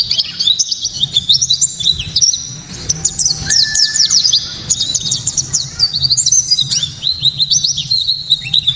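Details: Loud, crisp song of a Japanese white-eye, played to trigger other white-eyes and to train songbirds: a continuous high, fast warbling chatter of sliding notes, briefly joined by a lower steady whistle, with low hum beneath.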